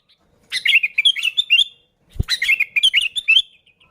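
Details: Sooty-headed bulbul singing vigorously as a lure for bulbuls; two rapid, warbling phrases of clear, slurred notes, with a single low thump in the gap between them.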